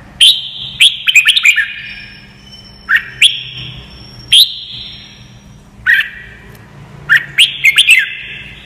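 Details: A red-whiskered bulbul, used for song training so young white-cheeked birds learn its voice, sings bright, liquid phrases of quick whistled notes in bursts every second or two, with a faint low hum behind.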